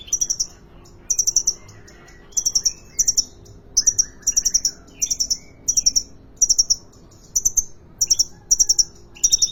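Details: Sunbird kept in a cage at a Depok bird market, in full song: quick groups of three to four piercing high chirps repeated roughly every half second to second, with fainter lower twittering notes between them.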